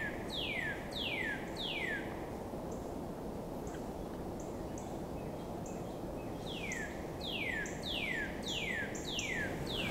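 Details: A Northern Cardinal whistles clear down-slurred notes in winter, about 90 minutes before sunrise: three in a row, then a pause with faint high chips, then a quicker run of six, over a steady low rumble.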